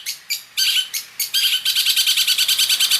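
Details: Long-tailed shrike singing a full song mixed with imitated fill phrases, used as tutor song. A few separate high chirps, then a fast steady stream of sharp repeated notes, about three per second, bright and high.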